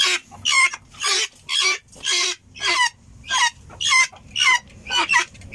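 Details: Loud, coarse, grating notes from a helmeted guineafowl, delivered in an even rhythm of about two per second. Each burst is broad and rasping, with low background rumble between calls.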